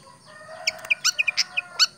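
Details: A tame pied fantail gives a short, loud run of crisp, high chirps, about eight notes in just over a second, over a faint background hum.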